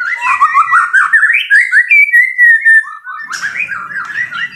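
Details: Caged fighter white-rumped shama delivering a loud song of quick fluty whistles and warbles, a long slurred whistle mid-phrase, then a brief pause and renewed jumbled notes over faint low background.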